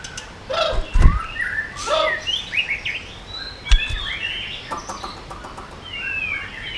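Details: White-rumped shama giving 'yến reo' song to excite other birds: varied short whistles and downward slurs, interrupted by a few dull low thumps, with quieter chirps toward the end.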